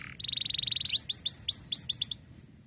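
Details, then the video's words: Canary song used as a tutor recording for canaries that have stopped singing: a fast buzzy trill near one pitch, then a run of sweeping whistled notes, rising and falling, ending abruptly; steady faint background hiss. "KENARI GACOR COCOK BUAT MASTERAN KENARI MACET"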